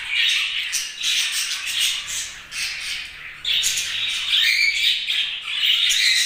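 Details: Several budgerigars keep up steady, bright chirping throughout, with harsh squawky notes mixed with short whistled trills in a busy, overlapping chatter that never pauses.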